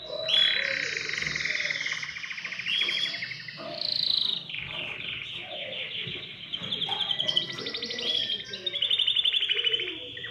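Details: Domestic canary singing to stimulate other birds to sing: a loud, clear, continuous song of rapid trills and rolling tours shifting between higher and lower pitches across ten seconds.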